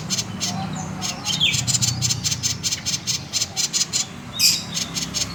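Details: Common iora delivering konslet song for luring other birds into song: crisp, high ticking notes in a fast regular series, one louder sweeping note near the end, faint low hum behind.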